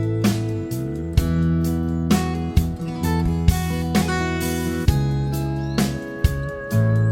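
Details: Strummed acoustic guitar music plays throughout, with no bird or other animal sound heard.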